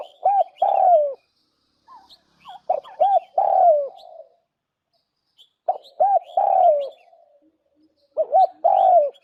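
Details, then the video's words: Spotted dove kept as a decoy, repeating a three-part coo: two quick hollow notes, then a longer falling note. The phrases come about every three seconds, with faint high twittering in the background. "suab nquab lauj kaub tawg quaj zoo dib heev nawb, tiếng cu gái mồi"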